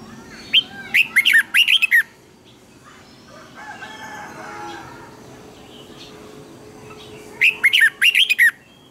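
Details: Red-whiskered bulbul singing for use as a decoy recording to train other birds: two bursts of lively, liquid whistled notes about six seconds apart, separated by a soft muffled rustling murmur.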